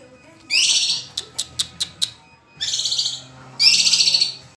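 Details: White-rumped shama song made of rough buzzy bursts and a few short, evenly spaced clicks, followed by two longer harsh scratchy phrases.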